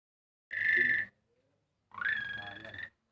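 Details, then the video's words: Javan pied starling (jalak suren) singing an imitation of a motorbike starter: two buzzy, whirring bursts, the first steady and about half a second long, the second rising into a harsher one-second rattle, with silence between. "JALAK SUREN KICAU SUARA STATER MOTOR"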